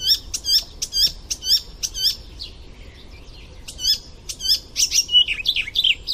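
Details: Icterine warbler in full, chatty song for training songbirds: quick high curved notes repeated in a run, a short soft gap of scratchy twitters, then a fresh burst of varied whistles and sharp slurred phrases.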